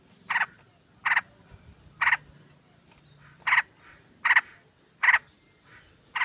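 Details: Several sooty-headed bulbuls on a lure recording, female calling male: loud rasping chatter bursts repeated roughly every second, seven in six seconds, with faint high whistled notes between them.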